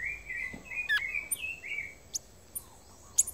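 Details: A male Violaceous Euphonia at a bird feeder in the Brazilian Atlantic Forest gives a run of slurred, mid-pitched whistles broken by sharp, high ticking notes, with faint background hiss.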